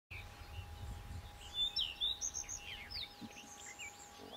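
Common redstart giving high, thin chirps and short twittering notes in quick, uneven bursts, over a steady faint hum and soft background noise.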